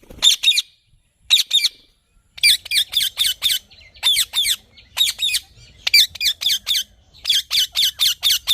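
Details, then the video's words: A green parrot screeching in rapid runs of four to five harsh, high squawks, with brief gaps between bursts. "Green Parrot Natural Sounds"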